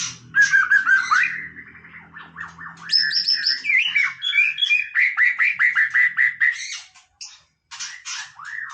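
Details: White-rumped shama singing casually: a fast, varied run of whistled and slurred notes, then a rapid series of short descending chips repeated many times, with a faint low hum early on.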